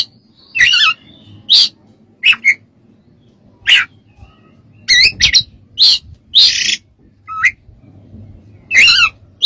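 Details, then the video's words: Oriental magpie-robin singing, used as a master recording for training other birds: a series of sharp chirps, squawky bursts and twisting whistles, spaced roughly every second over a faint low hum. "MASTERAN KACER DAN TERAPI"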